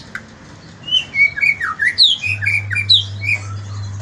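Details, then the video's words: White-rumped shama singing in the morning: a run of varied, loud whistled notes, some sliding up and others dropping, delivered in quick succession over a steady low hum. "Kicauan murai batu di pagi hari"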